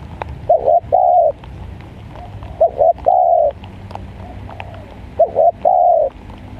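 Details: Spotted dove used as a trapping lure in the rainy season coos in soft, mellow phrases: two short notes, then a longer drawn-out coo, repeated three times about every two seconds over a faint low hum.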